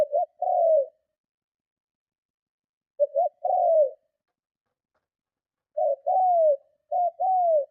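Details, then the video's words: Spotted dove cooing strongly to lure and provoke other doves: stuttered short notes leading into sustained, gently descending coos, phrases spaced about three seconds apart, then two close together at the end. "Tiếng Chim Cu Gáy Gù Kích Bổi Cực Mạnh"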